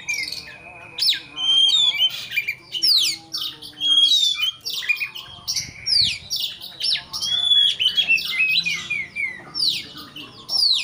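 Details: Agitated Oriental magpie-robin song meant to provoke a rival into fighting mood: a dense, varied run of sharp whistles, rising and falling slurs and buzzy chatter, phrases packed closely with brief gaps, plus a faint low steady hum.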